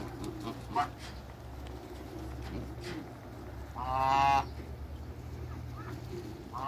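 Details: Domestic African and Toulouse geese in a backyard: a few short honks, then one loud, harsh, buzzy honk lasting about half a second, over low hum.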